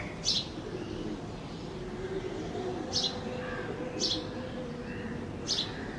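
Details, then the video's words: Sparrow in Bangladesh calling with four brief, high chirps at uneven intervals of one to two seconds, faint lower notes between them, and a persistent low hum. "চড়ুই পাখি - Sparrow"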